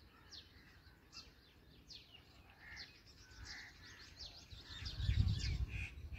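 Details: During feeding, young black drongos give repeated high, falling squeaks mixed with shorter mid-pitched chirps; a deep rumbling noise swells in the final seconds.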